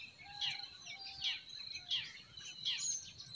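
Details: Forest birds in spring singing: bright, sharp chirps and short twittering bursts roughly every half second to second, with a soft low whistled note between them, over a steady thin high-pitched whine.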